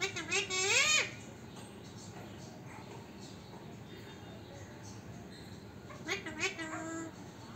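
A parrot speaks two short, high, nasal phrases with swooping, speech-like pitch, one at the start and one near the end, with quiet indoor room noise between.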